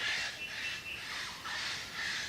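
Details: A female Eclectus parrot in Australian forest guarding her nest hollow gives about four harsh, raspy screeches in quick succession, a conspicuous long-distance signal warning other birds, especially females, to keep away.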